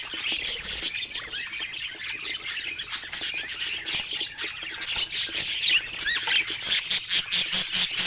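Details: Budgerigars kept as pets, exploring toys: continuous bright warbling chatter with rising squeaky notes, denser and louder in the second half, plus faint low rumbling.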